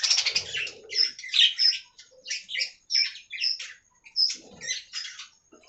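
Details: Aviary budgies chirping in separate short bursts roughly every second, scratchy squeaks and clear whistled pips with brief gaps between, following an opening stretch of dense noisy chatter.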